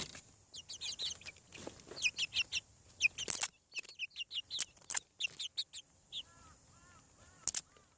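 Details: Farm chicks hatching from eggs give bursts of high, shrill peeps about once a second, with sharp clicks, then a few softer, lower arched notes near the end.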